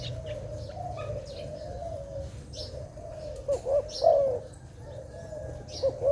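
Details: Low cooing of a dove near a bird trap in forest, short notes grouped in bursts of two or three, then a longer rolling coo, a final pair near the end, over steady low background drone.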